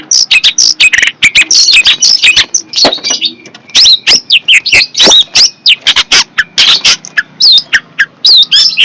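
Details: Fierce long-tailed shrike in a dense, nonstop song of high, scratchy chatter mixed with whistled upslurs and downslurs, clicks and harsh squawky notes. Phrases follow one another almost without a break.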